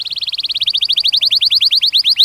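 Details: Canary singing in mating training of young birds: a single fast trill of rising chirps that gradually slows and grows louder over two seconds, with faint low background noise.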